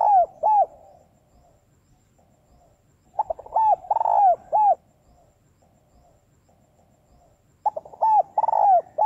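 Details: Cooing of a female spotted dove meant to stimulate males: repeated phrases of soft, curved coos, a stammered start rising into a drawn-out warbling note and a crisp last coo, recurring every four to five seconds over quiet background.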